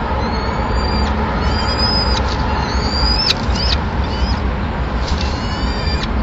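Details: Peregrine falcons, Madrid, 26 April 2016, at the day's first feeding when the male brings a small bird to the chicks; scattered thin, high drawn-out calls, one rising then dropping sharply, over a constant low city drone.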